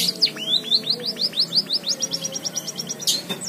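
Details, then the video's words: White-headed munia trained on canary song, giving a quick, even trill of high, sharp, downslurred chirps, about six per second, then a brief burst of buzzy notes near the end. "Burung Emprit Kaji isian Kenari"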